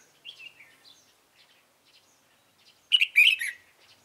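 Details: White-cheeked red-whiskered bulbul fighting song, recorded on 26 June 2018 while trapping with a decoy: soft scattered chirps, then a sudden loud, bubbling burst of quick whistled notes lasting about half a second.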